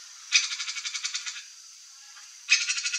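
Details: Free-living young turquoise-fronted parrot (Amazona aestiva) makes two bursts of grating, rapidly pulsed calls with about ten rasping beats each, separated by a quiet pause of about one second.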